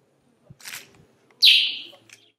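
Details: Northern Grey-headed Sparrow (Passer griseus ugandae) in Akagera National Park, Rwanda, March 2013, giving a loud, harsh chirp that slurs downward, preceded by a softer noisy chirp, with a faint low background hum.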